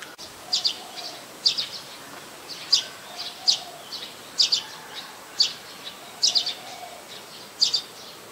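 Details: Streak-eared Bulbul, a very common resident of mixed deciduous forest, recorded on 4 February 2020 in Ubon Ratchathani, Thailand: sharp, short high chirps, often doubled, repeated about once a second over a faint low background hum.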